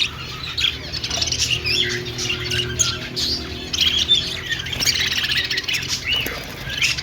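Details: Budgerigar flock in an aviary at a pet store, many birds chirping and warbling at once in a dense, continuous high-pitched chatter of squeaks and trills, with a low steady hum underneath.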